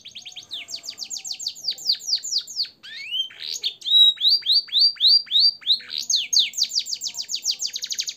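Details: Canary singing a rich training song mixing blackthroat and sanger styles: quick series of descending whistled notes, a rising sweep, then evenly repeated downslurred whistles and fast high trills.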